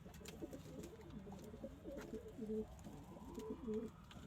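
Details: Domestic pigeons, among them local, Indian, Chinese and homing types, coo softly in low, rounded phrases that repeat about every second, with light scratching, clicks and a faint rising hum behind.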